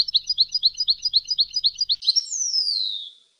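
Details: Competition singing by a European goldfinch: a quick series of bright, high, evenly repeated notes for two seconds, then a drawn-out whistle sliding downward and fading.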